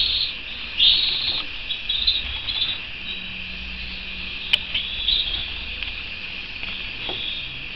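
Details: Canary giving bursts of high, bright chirps and short trills separated by quieter stretches, over a faint low hum.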